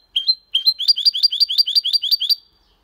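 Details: Goldfinch × canary hybrid delivering clean Malaga-language song; one rising double note, a short pause, then about ten rapid repeated rising two-part chirps ending abruptly.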